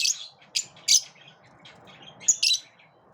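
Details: Lovebirds in a group repelling each other: a handful of harsh, high squawky chirps, three early and two close together near the end, with quiet pauses between.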